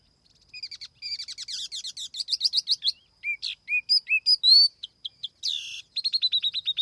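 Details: Laughingthrush lure song recorded clean: a quickening series of short whistled notes, clear sweeping phrases, a loud rising whistle, then a rapid burst of evenly repeated chirps.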